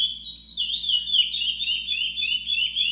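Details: Brown (pardo) chestnut-bellied seed finch singing a continuous, rapid warbled stream of clear whistled notes that slide up and down in a high register, with no pauses across the whole stretch.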